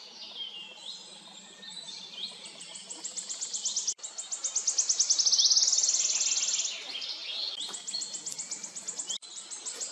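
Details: Repeated wood warbler song: high, dry ticking notes speed up into a loud, ringing, shivering trill that swells and fades. Further accelerating tick series follow. Brief clicks break the sound twice.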